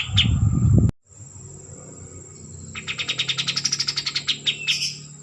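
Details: White-eared bulbul (kapas tembak) trilling: after a loud low burst of noise and brief silence, a rapid series of about twenty high, evenly paced notes runs on, closing with a couple of chirps.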